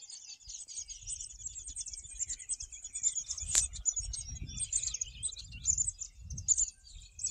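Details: Birds singing at a golf course in Morden: a dense continuous chorus of high twittering and chirping notes, with soft low wind rumble underneath and one sharp click midway.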